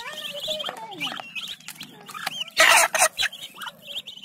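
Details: Muscovy ducklings, some one week, some two weeks and some a month old, at their morning feeding: thin high peeps, rising and falling, repeated in quick runs. A loud rustling burst midway, plus a few lower voiced calls and nearby talk.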